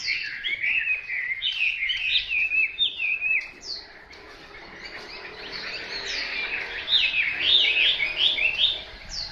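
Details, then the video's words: Hwamei delivering varied whistled and warbled phrases, sliding notes rising and falling, a quieter pause midway before a louder, dense burst of trills toward the end, over faint background hiss. "Họa mi tuyển chọn"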